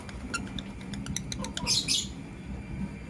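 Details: Chirping from a blue opaline and a green personata lovebird in the morning: a run of quick sharp ticks building to a loud harsh screechy burst, then quiet low hum.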